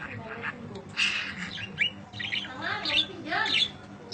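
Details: Budgerigar giving long chirping song used as training audio for other birds: bursts of bright, scratchy chirps and warbles, uneven in rhythm, with people talking in the background.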